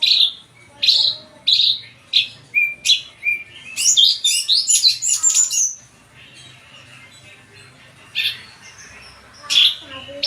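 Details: Drongo singing vigorously: a row of short loud whistled chirps about every half second, then a rapid jumbled burst of varied notes, a pause, and more scattered high chirps.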